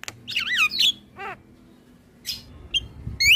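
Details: Black-winged starling recorded as a master song for stirring young birds: a few wavering whistled notes and harsh squawks in short bursts with quiet gaps between them.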